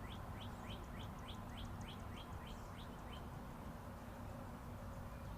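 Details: Outdoor birds tweeting beside Interstate 40: a rapid even series of short rising chirps, about three a second, lasting three seconds and then stopping, with continuous traffic noise filling the background.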